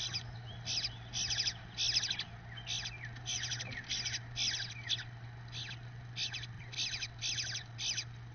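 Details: At the nest, a male Eastern bluebird feeds one of his young from the first clutch. Rough, scratchy squawks come in uneven bursts, roughly one or two each second, with a constant low electrical hum underneath.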